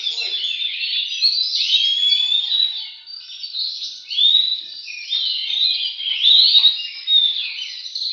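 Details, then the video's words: Oriental magpie-robin in a bird singing contest delivers nonstop, loud, melodious song of swooping whistles and rapid chattering, with clear upslurred notes repeated near the end. "kontes burung Kacer"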